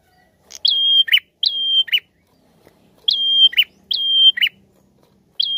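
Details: Lively prinia lure song in paired phrases. Each phrase is a sharp upward flick, a level piercing whistle of about half a second, then a rasping downward chirp. Pairs repeat after short pauses.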